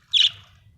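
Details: A single short, bright squawky chirp from a happy budgerigar, fading quickly over a faint low hum.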